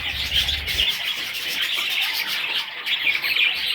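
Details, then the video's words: Young parrots keep up an unbroken, shrill twittering, many overlapping chirps; a brief low rumble is heard only at the start. "Parrot little babies"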